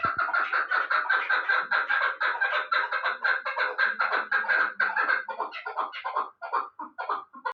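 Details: Loud rapid chukar partridge calling by a young Pamir bird from Bartang kept for hunting: a packed grating chatter of chuk notes that slows after five seconds into separate, spaced clucks.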